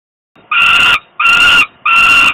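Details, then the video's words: Hungry falcon chick crying for food as the father arrives with prey, Włocławek, Poland, 27 May 2022, 20:06; three loud, raspy, strained wails of equal length, evenly spaced and separated by brief pauses. "is crying hungry, Dad brings food"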